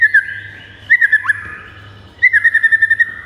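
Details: White-rumped shama song to excite pet birds: three bursts of quick repeated whistled notes on one pitch, with a sliding note between, over a soft low hum.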